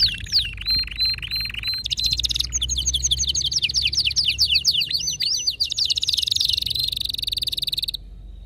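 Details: Ferocious song of an excited male canary: a rapid rolling tour, a squeaky upslurred phrase, dense buzzy trills, then a long, fast, rattling roll that ends abruptly.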